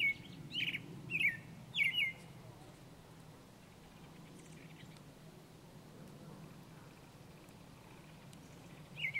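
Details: In spring, an American Robin singing from the top of a tree gives four clear, whistled phrases, three close together and then one after a long pause, each rising and falling over a soft background hum.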